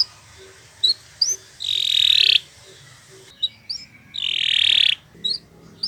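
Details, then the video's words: Canary singing on a recording meant to train other birds: scattered short upslurred chirps between two long buzzy rattling trills, each lasting under a second, with quiet pauses. "Kicau Burung Kenari 135 II LUAR BIASA GACOR PANJANG Cocok untuk Masteran"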